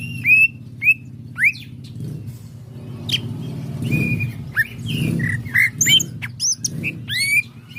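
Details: Contest greater green leafbird singing bright whistled phrases, sharply rising and falling slurs repeated at irregular intervals with chattering bursts between, while low rumbling and a constant hum continue underneath.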